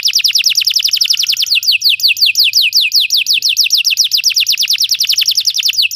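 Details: Belgian canary singing, a recording meant for training other canaries to sing: a fast, steady roll of high, downward-sweeping whistled notes, roughly six to seven per second, running without a break.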